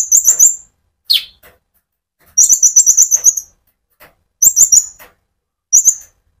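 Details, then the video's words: Konin sunbird with an active, rolling ngerol song, played to stimulate other sunbirds: quick runs of very high chattering notes, broken by a single sharp descending chip and short pauses. "pancingan Burung Konin gacor ngerol untuk kolibri ninja ijoan sampe metalik"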